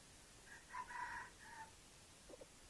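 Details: A decoy red junglefowl, praised as sweet-voiced and used to lure wild birds, crows once: a brief opening note, a strong sustained middle and a fading tail. A faint short sound follows against a hissy background.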